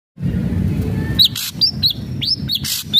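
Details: Ashy drongo singing vigorously, used as lure audio to stimulate a captive bird to sing: after a low rumbling start, sharp arched whistles alternate with harsh rasping bursts at an uneven pace.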